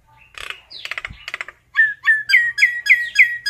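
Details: Flock-calling common myna: a brief rattly, buzzy chatter, then five loud whistled notes that rise and fall, repeated about every third of a second.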